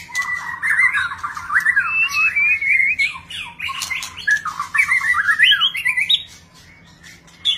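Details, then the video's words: White-rumped shama performing a display, singing a long varied phrase of warbled, slurred whistles that rise and fall steadily, many different notes strung together, then a short pause near the end. "ลีลา นกบินหลาดง MURAI BATU GACOR White-rumped shama Display kích chòe lửa hót nhiều giọng บินหลาดง"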